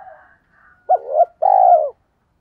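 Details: Faint soft coos, then a single loud spotted dove phrase of a short coo and a long sustained falling coo, calling to attract wild doves.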